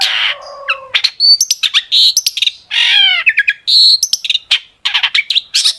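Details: Long-tailed shrike pouring out a dense song of sharp 'tembakan' shots as a lure for other shrikes; nonstop mix of rasps, rapid chips, ringing whistles and a buzzy trill.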